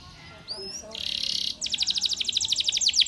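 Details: Spanish Timbrado canary training song, quieter, with a few thin whistled slurs, a buzzy block of sound, then a rapid pulsing trill of evenly spaced high notes.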